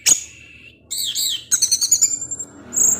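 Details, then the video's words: Caged orange-headed thrush in ngecip ngecis teler song: a loud sharp note, then a wavering high whistle and a fast series of thin chips ending in a high trill. "ANIS MERAH SUSAH BUNYI PASTI NGEPLONG DENGAR SUARA NGECIP NGECIS TELER INI"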